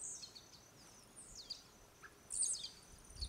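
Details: Blue-black grassquit (Volatinia jacarina), a jumping male near Itaiópolis, Santa Catarina, gives short, high, buzzy downslurred notes about every second over soft hiss; the leaps likely serve courtship of females and competition between males.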